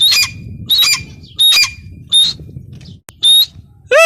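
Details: Shrill, ringing squawks from a female grey francolin (teetar), repeated roughly every 0.7 seconds with a short pause, ending on a rising note, over faint low background noise.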